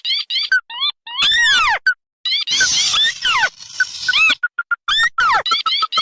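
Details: Combined lure recording of red and white crakes used to attract rice-field and marsh birds: dense, overlapping squeaky harmonic calls, descending slurs and rapid clipped notes, with a rough noisy stretch in the middle.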